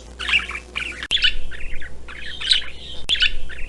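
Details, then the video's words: Parrot uttering grating squawks mixed with quicker chirpy notes in irregular bursts, with a couple of sharp clicks and a constant low hum beneath. "Animal Sounds for Kids (Elephant, Lion, Giraffe, Bison, Parrot)"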